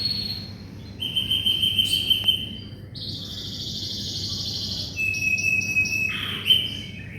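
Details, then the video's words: Canary singing, used as tutoring for white-rumped shamas. Sustained high whistled rolls alternate with buzzy trills and short gaps, softer than the other passages, over a low hum. "SUARA BURUNG KENARI GACOR"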